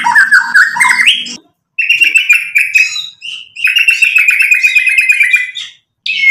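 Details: Lively white-rumped shama song played to rouse rival birds: fluttering slurred whistles, then long rattling trills of fast repeated notes, broken by short silences between bursts.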